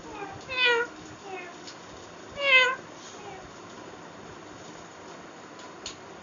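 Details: Green parrot in a talking mood, known locally as Miyan Mithu: two loud harsh squawks with stacked overtones, a softer call between them, then quiet with faint clicks.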